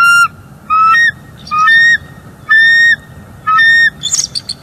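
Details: Wild bald eagle pair at a northeast Florida nest, 27 December 2021, calling during a morning mating break from incubating: five loud, thin, level piping notes about a second apart, each slightly rising at the end, then a short scratchy burst.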